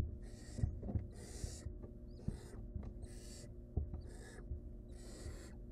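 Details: Barn owl mother and nestling at the nest as the young bird is saved from choking; six harsh, breathy screeching hisses in steady succession, separated by brief pauses and soft scuffling thuds.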